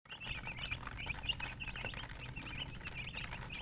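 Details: Chickens, a coloured hen with chicks, locally called murgi, heard in a dense chorus of high, rapid peeping chirps that overlap continuously, with a steady low hum beneath.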